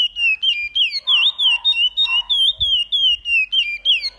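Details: Chestnut-bellied seed finch (curió) of the Paracambi song style, repeated phrase: a rapid run of clear, loud, downward-sliding whistled notes, about five per second, over soft lower chattering notes.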